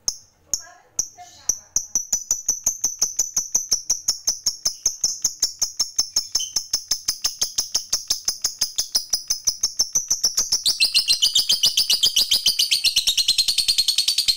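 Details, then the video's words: Lovebird ngekek panjang, a long chatter played to provoke rivals: a thin, very high steady trill of fast ticks that builds and breaks into harsher, broader chattering over the last few seconds. "Suara Lovebird ini Paling Bagus Buat Pancingan Lawan EMOSI Ngekek Panjang"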